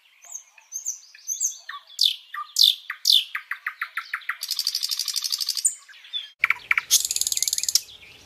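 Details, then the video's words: Nightingale singing live, delivering varied phrases: thin whistles, loud downward-swept notes repeated in series, a rapid chattering trill, then more sharp notes and a second buzzing trill. "Dengê bilbilan - Nightingale sound - Bülbül sesi"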